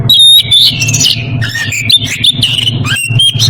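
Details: Oriental magpie-robin in breeding condition calling a rival: loud varied whistled phrases around 2–4k, sliding and warbling, with sharp clicks and chips, over a steady low hum.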